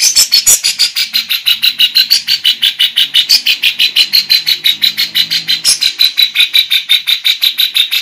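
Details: Female lovebird singing in a very active, lively style, with a filler of kapas tembak and cucak jenggot phrases. Sharp, high chirps come in a rapid, steady run of about three per second, with some brighter notes among them.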